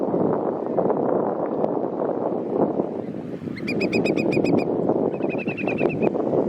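Eurasian whimbrel giving two quick trills of about seven clear, even whistled notes each, heard over steady rushing wind or surf.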